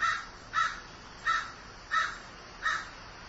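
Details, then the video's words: Five strong caws from a crow in mourning, spaced about two-thirds of a second apart, each short and rasping. "Grieving Crow"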